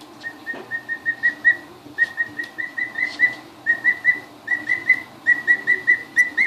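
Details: Newly arrived emu chicks aged two weeks, first seeing the house: bright high whistled peeps in rapid runs of four to six, each run separated by short gaps, with a low background hum.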